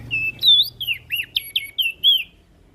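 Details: Quick series of eight high whistled notes from an ashy prinia, each bending up or down, loud and evenly spaced over about two seconds, with a faint low hum.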